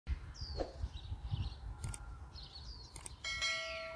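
Red-whiskered bulbul giving a few short, bright, slurred chirps at a relaxed pace, over low background rumble, ending with a ringing bell-like clang.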